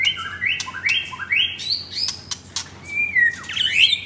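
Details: Caged male white-rumped shama from Jakarta, Indonesia, F4 blorok: quick series of upward-sweeping whistles, a long falling whistle, then a tangled burst of high twittering notes.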